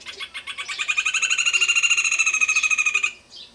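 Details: Rufous hornero singing from a tree beside a house on a rural smallholding in Brazil: a loud, fast rattling series of sharp notes, about three per second at first and accelerating, holding steady for three seconds before stopping abruptly.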